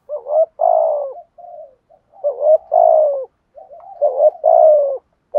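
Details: Steady 'thúc gù' cooing by a spotted dove: three phrases, each a quick double note and then a long falling coo, separated by quieter soft coos. The phrases come roughly every one and a half to two seconds.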